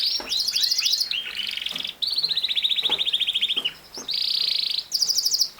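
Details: Singing canary delivering bright high trills, a long even rattling phrase, then a buzzy steady note and renewed rapid chips, each section sharply separated.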